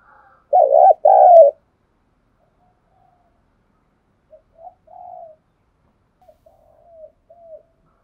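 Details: Morning calling of a spotted dove, a call used to train decoy birds: two loud, mellow paired hoots at the start, then a run of much fainter, softer coos trailing off over the next several seconds.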